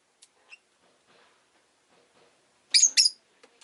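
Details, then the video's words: Rosy-faced lovebird making a quick pair of sharp, squeaky chirps near the end after near silence with a few faint ticks. "Lovebird Chirping Sounds"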